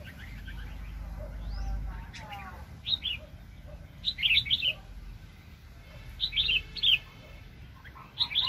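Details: Red-whiskered bulbul, a fiercely aggressive decoy bird at a trapping site in 2020, gives short, clear, bubbling whistled phrases roughly every one to two seconds, separated by quieter gaps with faint low noise.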